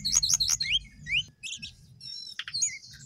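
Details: Sooty-headed bulbul singing busily: quick bursts of high, bright, rising and falling chirps, a few sharp downslurred whistles, then scattered twittering notes, over a faint low hum.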